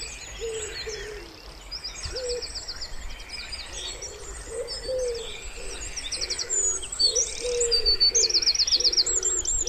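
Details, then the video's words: Gentle wood pigeon cooing near a pond in springtime, low muffled notes in loose clusters, while songbirds chatter and trill brightly throughout. "Wood Pigeon Sounds"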